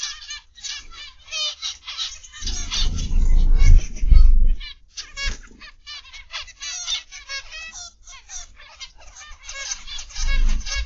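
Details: Zebra finches in an aviary on the afternoon of 29 November 2021, many birds giving dense, nasal, honking calls in rapid overlapping bursts, with a low rumbling noise between two and four seconds and again near the end.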